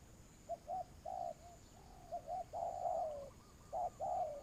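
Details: Spotted dove used as a lure in trapping, with soft short coos building to a longer, louder drawn-out coo that falls at the end, then a quick pair of notes and another falling coo.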